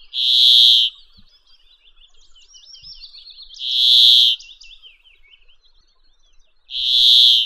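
Brambling giving a harsh, nasal, buzzy wheeze, each note under a second, repeated about every three seconds, with soft high twittering between.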